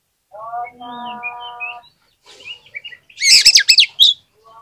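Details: Oriental magpie-robin song used as a lure to stir silent birds into answering: a steady low harmonic tone first, then a loud burst of harsh, buzzy, rapidly repeated notes ending in a sharp whistle.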